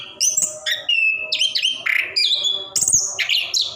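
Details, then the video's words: Orange-headed thrush in captivity giving an energetic rolling song for prompting quiet birds; clear whistled notes, harsh buzzy bursts and high ringing phrases follow one another rapidly. "Anis Kembang / Plontang Gacor Ngerol"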